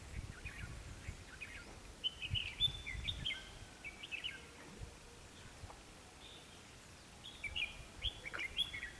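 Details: Red-whiskered bulbul used as a decoy, singing to lure wild birds toward a sliding snap trap, 21 October 2016; two bursts of quick, warbled, whistled phrases with sharp rising and falling notes, separated by a quiet gap, over soft outdoor background noise.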